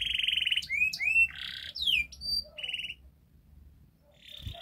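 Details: Canary master song, played to prompt a silent canary to sing, in a persistently vigorous style: buzzy bursts, sharp down-slurred and up-slurred whistles, and a brief rattling roll, loud and varied with short pauses, ending on a faint buzz.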